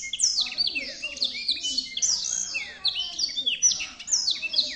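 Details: Black-throated canary in lively full song, pouring out fast cascades of high falling whistles and quick chattering trills without a break, with a faint low murmur behind.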